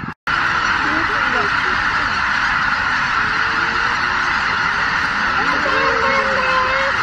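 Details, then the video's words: A huge flock of over 83,000 greater white-fronted geese leaves its roost at Miyajima-numa in the early morning of 23 April 2017 in poor weather: a dense, continuous roar of overlapping yelping honks, with a few clearer, lower rising calls. "マガン ねぐら立ち"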